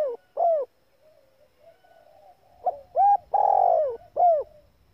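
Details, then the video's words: Female spotted dove calling to arouse males. An arched hoot opens, then a quiet pause with faint murmurs, then a full phrase: a pip, a rising hoot, a long rough downward purr and a closing clear hoot. "tiếng chim cu gáy mái tập bổi kích mồi căng lửa"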